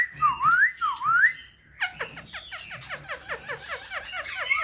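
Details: Caged Black-throated Laughingthrush for sale, tail fanned, wings dancing. Two ringing V-shaped whistles open, then a fast, even stream of short falling notes runs on steadily.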